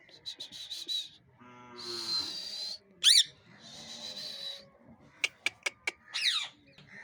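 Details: Angry parrots giving harsh, noisy screeches in long bursts, a low buzzy nasal stretch, a sharp whistled rise-and-fall note heard twice, and a quick run of four or five clicking snaps near the end.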